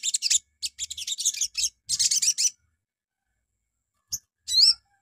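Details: Morning lure song of a crimson sunbird, meant to get other birds singing: quick high scratchy chirp series in two bursts, then a lone click and a looping, sliding whistled note.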